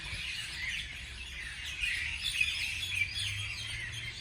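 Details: Several birds chirp in the morning with quick, high, twittering phrases and short clear whistles that repeat irregularly over a soft low hum.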